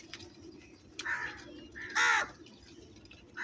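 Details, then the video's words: A large number of crows calling: a rasping caw, then a louder, harsher caw, with fainter calls from other crows around and a low hum underneath. "Very loud voice of Crow sounds, Large numbers Of Crows Voice | Crow ki Awaz Loudly"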